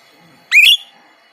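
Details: Single bright, upward-sweeping whistle from a kept white-shouldered starling, whose monotonous, repeated song serves as a master song for other cage songbirds to copy.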